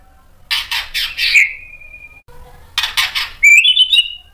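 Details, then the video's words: White-rumped shama singing to provoke other shamas: harsh scratchy notes ending in a long thin level whistle, silence, then more rasping notes and a fast warbled, rising phrase. "KICAUAN MURAI BATU bikin NYAUT EMOSI jadi BUNYI GACOR NGEPLONG BONGKAR ISIAN | PANCINGAN MURAI"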